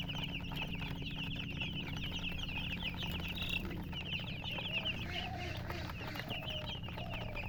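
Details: ['Many domestic chicks peep nonstop in quick, overlapping high notes. Midway, a few lower, softer clucking sounds join the chorus, all over a constant low background hum.']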